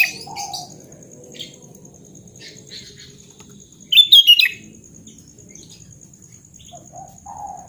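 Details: Sooty-headed bulbul song in natural voice, for stimulating a bird that has stopped singing: scattered soft chips lead to one loud, bright, rolling whistled phrase midway, followed by quieter notes and low background hum.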